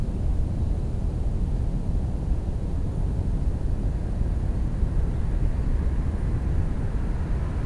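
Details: Continuous deep low rumble like passing traffic or an aircraft outdoors, with no animal calls.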